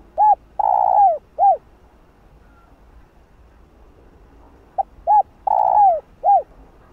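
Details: Spotted dove cooing and calling, a recording meant to excite other doves into calling. Two matching phrases: a short hoot, a longer mellow coo falling at its end, then another short hoot, with a pause of about three seconds between phrases.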